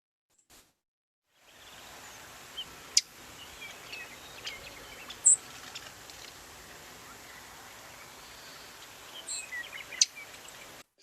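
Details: Lincoln's Sparrow call: a few sharp, high chip notes spaced a few seconds apart over a steady soft hiss.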